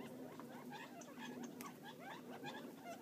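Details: Feeding wild Gambel's quail near Florence, Arizona give soft, quick clucks and short rising chip notes in a continuous murmur, with one sharp click midway and a low steady background drone.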